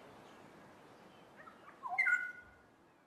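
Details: Two black-headed orioles in duet, heard here as one short mellow whistled phrase with a quick falling slur, fairly soft against faint background noise.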